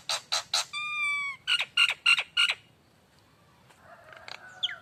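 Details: Nias hill myna giving a lure song: rasping bursts and a long steady ringing whistle, then quick harsh notes that fall away, followed by near silence with faint scattered chirps.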